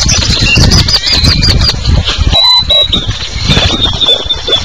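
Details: A raucous morning chorus of great-tailed grackles at the municipal garbage dump just south of Pisté, Yucatán, Mexico, with overlapping squeaky whistles and harsh squawks over a steady low rumble of wind or traffic.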